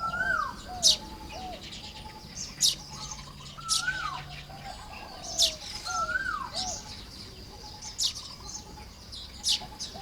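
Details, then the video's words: A Baya weaver nest-building in the morning, Lopburi, Thailand, 1 May 2026; bright piercing chirps repeat about once a second over soft downward-slurred whistles, with a brief low hum partway through. "เสียงนกกระจาบทำรัง ยามเช้า"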